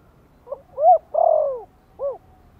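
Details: Gentle lure call in Thổ voice from a spotted dove, used to make newly kept birds sing. One full phrase: a soft short note, a rising-falling coo, a long drawn descending coo, and a clipped arched final note, over quiet background.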